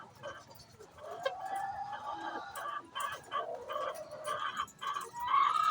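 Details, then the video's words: Hen before laying eggs, a run of quick uneven clucks and short squawks, roughly three per second, ending in a louder drawn-out cry. "Chicken makes noise before laying eggs"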